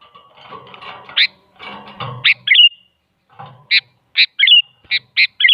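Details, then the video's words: Sooty-headed bulbul lure, female calling male to make a quiet bulbul reply; a run of rapid bright chirps and short whistled flourishes following a stretch of noisy scratching and rustle. "Suara Burung Kutilang Selalu Dicari Buat Pancingan Jadikan Kutilang Diam Ikut Nyaut"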